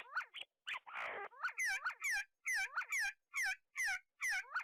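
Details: See-see partridges feeding and squabbling at the University of Sulaimani in Kurdistan make rapid, overlapping nasal calls with bent, wavering notes, several per second, broken by short silent gaps and one brief burst of noise.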